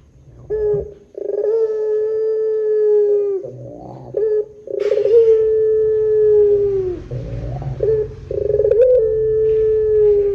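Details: Lure call of a pelung Barbary dove: extended level coos, each held for about two seconds, separated by short rough rolling phrases and a faint low rumble.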